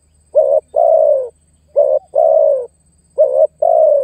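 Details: Spotted dove calling to lure and press a rival, meant for attracting wild doves: three evenly spaced pairs, each a short buzzy coo then a long falling coo, with a quiet low hum in the background.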